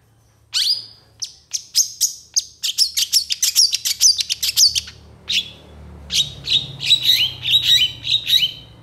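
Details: Long-tailed shrike in vigorous, mimicry-rich song that answers other shrikes: after a short silence come sharp whistled chips speeding into a rapid series about every third of a second, a pause, then another run of squeaky notes.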